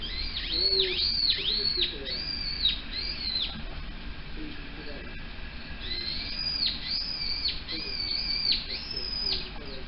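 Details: Uguisu, the Japanese bush warbler, calling in its spring breeding season: a series of high, arched whistled notes repeated in two bursts, about five notes each, over a soft background hiss.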